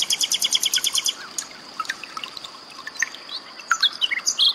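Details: Common nightingale song mixed with gurgling water, intended for training cage birds. A rapid run of about ten clear, evenly spaced repeated notes is followed by varied sharp chirps and short rising whistles.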